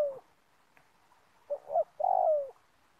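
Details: Spotted dove calling as a lure while trapping doves in an oil palm plantation: the tail of one coo, then two short clipped notes and a long, drawn-out falling coo.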